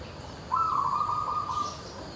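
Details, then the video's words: Lively local zebra dove with an unusual voice: a single level cooing phrase about one second long, slightly rough and trilled at the start, then fading, over fairly strong background noise. "PERKUTUT LOKAL GACOR SUARA ANTIK"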